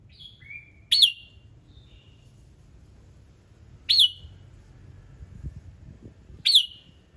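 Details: Red-whiskered bulbul morning song meant to prompt other birds to sing: three sharp, bright notes with falling tails, roughly three seconds apart, plus a softer whistled phrase at the start, over a faint low rumble.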